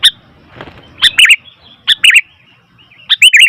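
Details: Sooty-headed bulbul calling noisily: three bursts of sharp chirps with short warbled, slurred phrases around one second apart, a faint rustle early on and quiet gaps between.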